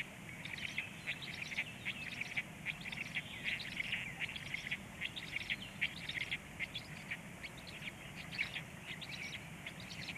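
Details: Black stork young calling for food as they are fed, timed 19:13: a long, steady stream of raspy, buzzy chatter bursts at an even pace over soft outdoor noise.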